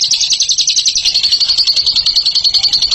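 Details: Ngekek-style song from a champion bird, a rapid high stutter of chirps that turns into a clean, even series of thin whistled notes partway through.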